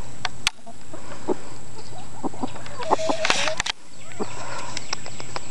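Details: Spring 2009 chickens: brief clucks and clicks over a low background hum, with a clearer drawn-out harmonic cackle midway, followed by a couple of sharp knocks and quieter clucking.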